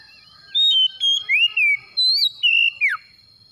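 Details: Oriental magpie-robin song meant to prompt a quiet magpie-robin to start singing; a loud phrase of six or seven whistled notes, some swooping up and down, ending in a sharp downward slur, over a faint steady high hum.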